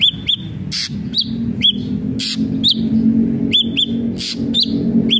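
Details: Singing ashy drongo: single and paired curved whistled notes spaced through the recording, interrupted by sharp broadband clicks, with steady low background noise.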